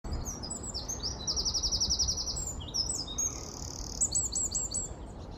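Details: Loud song of a Eurasian wren recorded on 4 November 2019 in London: a fast, high-pitched torrent of trills and sharp notes, with rapid rattling buzzes and clear whistled phrases, over steady low background rumble.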